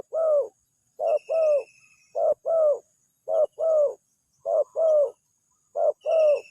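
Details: Spotted dove lure call used for trapping, said to draw an immediate response: low, hollow two-part coos, a short note then a longer slightly falling one, repeated about once a second with faint high tones in the background.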